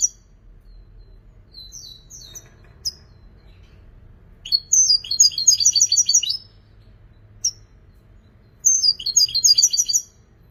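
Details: European goldfinch praised as a creative singer: a few thin high whistled notes, then two bright bursts of rapid tinkling, buzzy twitters, each lasting one to two seconds, over quiet low hum.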